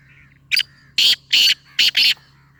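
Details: Black francolin giving its call: four or five loud, rasping, clipped notes in a quick staccato phrase, with a faint low hum underneath.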